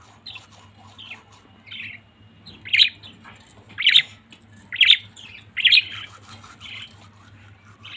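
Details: Family of budgerigars: quiet twittering with four louder, sharp chirps about once a second in the middle, softer chatter before and after, over a low hum.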